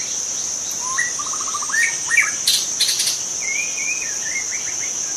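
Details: Young wild white-rumped shama in forest giving a fast rattling trill, a few sharp upslurred notes, then a long wavering whistle ending in quick chips, with a constant high insect buzz behind.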